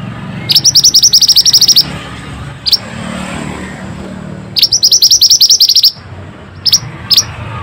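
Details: Pied bushchat singing hard, meant to restore song in stressed or quiet birds: two long runs of rapid high chirps, each over a second, with scattered single chirps between, against a faint low rumble.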